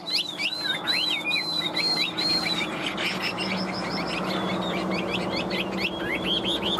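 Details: Newly arrived tame Chinese hwamei, caged for over two years, yellow bill and legs. Repeated arching whistled phrases give way to a busier, rapid chatter of high notes over steady background noise.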